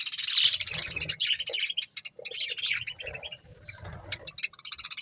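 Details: Budgies feeding on corn chatter almost without pause, a fast stream of high, buzzy chirps and twitters, over soft low thumping noises.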